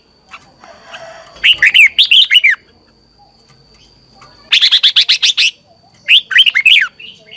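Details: Red-whiskered bulbul singing at morning training to stimulate other bulbuls: three separate bursts of rapid, bright, slurred warbling notes with quiet spells between, and a constant faint high-pitched tone.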